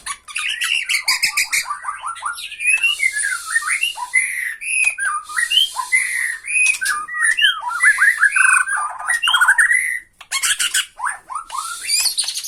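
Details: Bornean white-rumped shama giving its rattling tretekan song to provoke a rival: fast varied whistles sliding up and down, mixed with harsh buzzy rattling bursts and squawks in a nearly continuous torrent.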